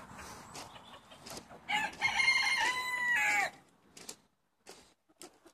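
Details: Rooster crowing in a flock of 70 chickens being let out for the day in Longford, Ireland, on 25 February 2016: one long, steady, harmonic crow lasting nearly two seconds, with soft clucks before it and scattered clicks after.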